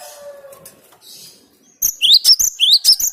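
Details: Cinereous tit lure song: soft background noise and faint notes give way to four loud, bright rising whistles delivered in quick succession.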